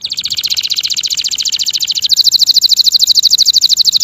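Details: Male canary singing: a fast, even trill of high pulsed notes, shifting partway through to a brighter, sharper roll repeated about three times a second, with faint low background hum.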